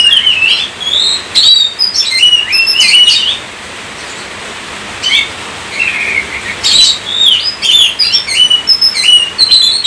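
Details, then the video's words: Gacor song of a kacer (Oriental magpie-robin) intended to provoke singing: bursts of varied whistles and chattering notes, a quiet gap of about two seconds midway, then lively phrases resume. "gacor kacer"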